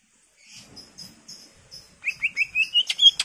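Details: Greater green leafbird singing eagerly, a lure full of fill phrases: soft faint chatter at first, then a run of bright upslurred whistles climbing steadily higher, ending in sharp clicks.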